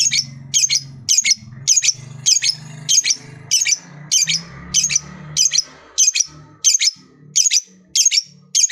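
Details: Lovebird giving scratchy, high double-edged chirps spaced roughly every two-thirds of a second, around fourteen in all, with a low hum and faint room noise behind; the calls aim to stimulate other lovebirds to sing.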